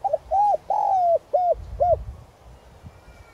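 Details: Decoy spotted dove calling in "gáy gọi" style with a clear "giọng son" voice, meant to lure wild doves: five smooth, hollow coos within two seconds, the longest in the middle, followed by quiet.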